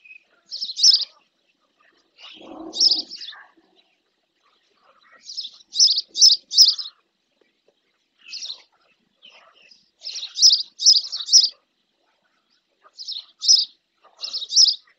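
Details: At a lagoon in the Doñana National Park marshes, Andalusia, Spain, a female spotless starling bathes near its nest; high, clipped chirps come in loose clusters of two to four across the recording, with one softer, lower rasp early on.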